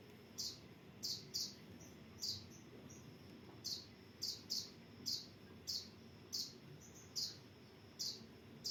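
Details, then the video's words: Kolibri ninja sunbird, recorded as training material for captive birds: crisp, very high chirps repeated every half second to a second, some in pairs, with low background noise. "Masteran Kolibri Ninja"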